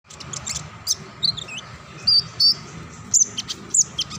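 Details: Kinglet cisticola singing in ngacor style: thin, very high chirps and short whistled notes scattered irregularly over a few seconds, several sharp clipped accents, over a steady low electrical hum.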